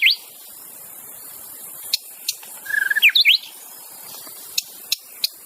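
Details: Wild white-rumped shama whose song serves to lure other shamas into singing: a brief whistled warble with a quick burst of slurred notes, amid sparse sharp clicks and a steady high hiss.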